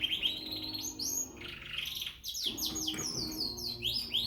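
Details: Frill canary, a young bird in Peshawar, singing quick sweeping whistled notes and rolling trills in short bright phrases, with a brief pause midway and a low hum behind.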